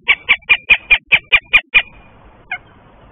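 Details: Goshawks at a nest in Tartu, Estonia, shortly before egg laying, exchanging gentle tones: a rapid, steady run of nine loud, harsh calls, then a pause and one fainter note.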